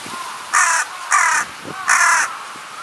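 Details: A fledgling carrion crow, recorded 10 June 2020, gives three hoarse, rasping caws that sound somewhat urgent, each about a third of a second long, over a faint background hiss.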